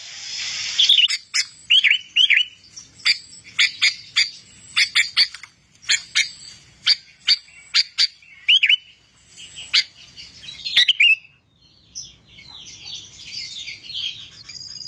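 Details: Sooty-headed bulbul song played for training other birds to sing. Scattered sharp chips and short gurgling phrases come in uneven bursts, followed near the end by a softer, thinner chattering.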